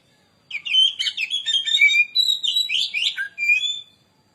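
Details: Oriental magpie-robin (kacer) lure song, used to provoke other birds into singing: a rich, continuous run of varied sweet whistles, trills and slurred notes, rising and falling for about three seconds, with a clean, quiet background.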